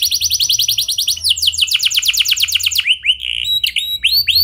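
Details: Vigorous canary producing clear rolling song to encourage other canaries to sing; a quick high trill, a lower rapid rattling roll, then several separate upswept whistles, soft low hum present.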